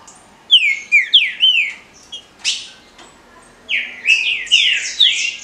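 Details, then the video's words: Kept green-winged saltator performing Paraná liso batido song: two bursts of rich, downslurred whistles, four phrases first, a pause with a sharp note, then a faster cluster of five or six falling notes. "TRINCA FERRO CANTO PARANA LISO BATIDO"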